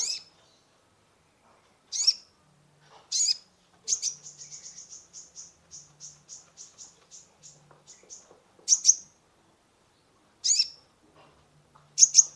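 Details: Sunbird (konin) singing to lure a stressed caged bird: isolated high, sharp chirps, then a rapid run of about twenty thin, ticking notes lasting four seconds, followed by more single chirps.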